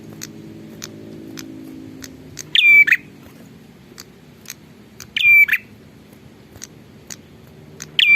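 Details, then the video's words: Bar-winged prinia giving a loud, clear whistled note with a rattling start, repeated roughly every three seconds, with faint ticking sounds and a low background hum between the calls. "suara burung prenjak super gacor"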